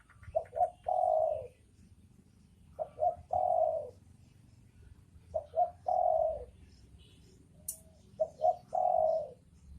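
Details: Spotted dove, male and female, giving a steady series of four coo phrases, each two short notes and a long low sustained coo.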